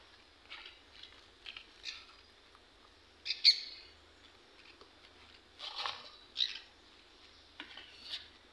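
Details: Green parakeets kept as pets, being fed by their owner; sharp chirps and short squawks come in scattered bursts, one louder screech near the middle, over a quiet indoor background.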